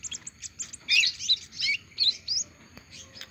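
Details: An olive-backed sunbird that has just finished moulting sings a high, thin run of quick chirps and scratchy, tumbling twitters in short bursts, with a faint low hum behind.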